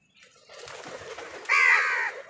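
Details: A crow contesting food with wild birds gives a single harsh, slightly falling caw lasting about half a second, preceded by a steady hiss of background noise.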